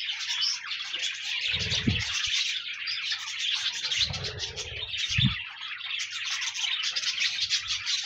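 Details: Budgies warble and chirp in a dense, unbroken flock chorus of high, rapid twittering notes, with a few soft low knocks in the background; pet birds used to encourage a lonely budgie to sing.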